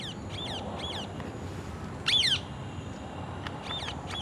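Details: Parrots calling in a natural setting, short harsh squawks with looping high tones, repeated in small clusters with a louder burst midway, over steady low background rumble.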